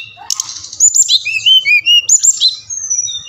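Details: Brown-chested jungle flycatcher, SRDC Bali, song to spur lazy captive birds: a buzzy burst, then clear looping whistled notes swinging between high and mid pitch, ending in a long thin level whistle; faint background hum.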